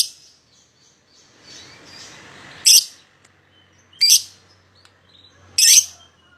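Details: Pair of pied lovebirds used as a lure to draw a rival into singing: three loud, shrill, high chirping bursts spaced over a second apart, with soft chatter between them.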